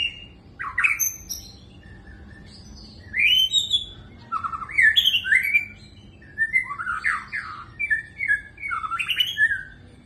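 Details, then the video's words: Magpie-robin in full song: rich, varied phrases of slurred whistles and harsher chattering notes, delivered in bursts with brief gaps, fairly loud and continuous, faint low hum beneath. "suara burung murai ter mahall"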